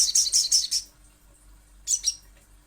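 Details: Little spiderhunter calling, from a lure recording meant to draw others into calling: a quick burst of five shrill high chips, a pause, then two more sharp chips.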